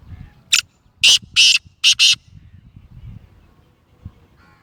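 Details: Nasal-voiced black francolin (Kala Teetar), Gangas Sheedi Lakka cross, calling with a short sharp lead note followed by two long harsh rasps and a tight pair of grating notes; faint low rumble behind.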